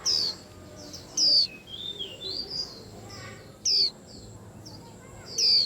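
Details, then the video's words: White-eye giving loud, high descending whistles, three strong notes spaced irregularly, while quieter high chirps and slurred notes from other birds fill the gaps. "Tiếng Chim Khuyên Làm náo loạn cả giàn"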